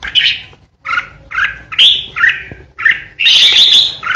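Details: Red-whiskered bulbul kept as a decoy, delivering separate two-part whistled notes in quick succession, then ending on a long harsh, grating ché burst.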